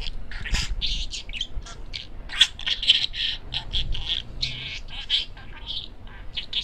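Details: Pet parakeet, a male, chattering nonstop: dense run of scratchy chirps and squawky syllables packed close together throughout, with low background rumble.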